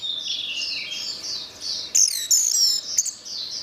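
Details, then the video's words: Orange-headed thrush singing a continuous high, squeaky warble that turns into piercing thin whistles and sharp notes in the second half. "Suara Anis Merah"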